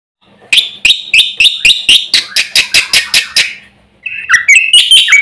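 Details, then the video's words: Javan pied starling, a vocal, active bird said to provoke other birds, giving a fast series of about twelve harsh, broadband chattering notes, then after a short pause several squeaky whistled notes. "jalak putih gacor full isian ini sekali bunyi bikin emosi burung sekampung"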